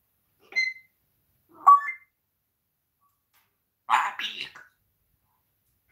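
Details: Swearing pet parrot chatting with its owner on a live broadcast; two clear short whistled notes a second apart, then after a pause a harsh, raspy double squawk, in a quiet room.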